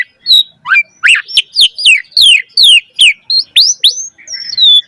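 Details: Javan pied starling singing energetically in a lure and tutor recording meant to get young starlings singing fast: a rich, varied run of sharp whistled notes, many sliding downward, delivered in steady bursts about twice per second, with brief gaps between phrases.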